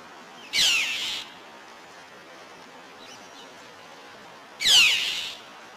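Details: Northern Mockingbird dive-bombing a tabby cat gives two harsh, raspy calls several seconds apart.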